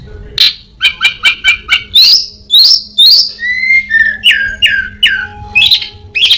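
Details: Orange-headed thrush (anis binbin) singing a mimicry song that copies prinias, a cat and other birds: rapid series of sharp chirps, then buzzy whistled phrases and falling slurred notes around mid-high pitch, varied and loud.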